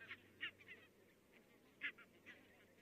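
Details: Far-off flock of barnacle geese in Estonia on 22 October 2017; a handful of short, sharp barking notes, two louder than the rest, scattered over a faint murmur of distant calling birds.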